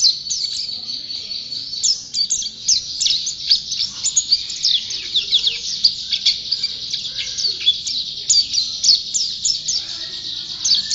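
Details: Long run of continuous song by a champion pleci (white-eye): thin, high, rapid chirping and trilling, dense and unbroken, with small swells in loudness.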